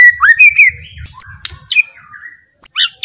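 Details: White-rumped shama, or murai batu, in a slow, relaxed song that draws other shamas into singing. Rising and falling whistled phrases, then scratchy warbles and a sharp return of high notes at the end.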